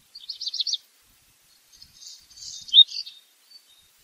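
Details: Black redstart song: a quick rattling burst of high pulsed notes, a short pause, then a faint scratchy crackling passage ending in a few louder, clearer notes.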